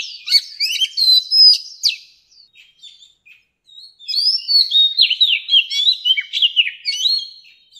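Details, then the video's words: Oriental magpie-robin, adult from the wild, sings clipped whistles and chirps, drops to quiet notes, then resumes with a long, varied sequence of swooping whistles. "Tiếng Chòe Than Già Rừng CHUẨN HAY DÙNG ép luyện giọng Chim Non"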